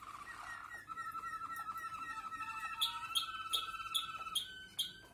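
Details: Waterslager (Malinois) canaries singing in lively mood with many 'klok' notes: a sustained rolling tour of steady whistled notes, then a series of bright, rapid, repeated chirps and knocking sounds over faint background hum.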